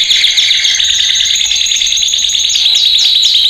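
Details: Male canary training song played loud: a bright, dense, fast trill with a sustained high whistle above, ending in a few quick downward-slurred notes.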